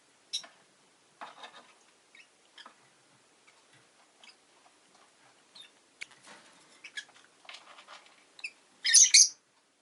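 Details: Rosy-faced lovebirds kept as pets, two of them new, make soft ticking and twittering sounds for several seconds before a burst of loud, harsh chirping at the end.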